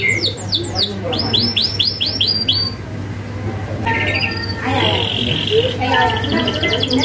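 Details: Canary in full song, a tutor recording with sharp rolling fill-ins meant to make untrained canaries answer: rapid series of high descending sweeps, then buzzy rolling trills and sustained high notes, over a steady low hum.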